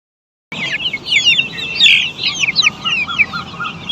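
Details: Black Australorp chickens on a poultry farm, a flock giving dense, overlapping short chirps and clucks that rise and fall quickly, starting after half a second of silence and continuing without pause, with a low farm rumble underneath.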